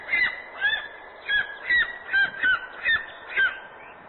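A golden eagle chick gives short, high, slightly falling chirps, about two each second, in an uneven series over a faint background hiss.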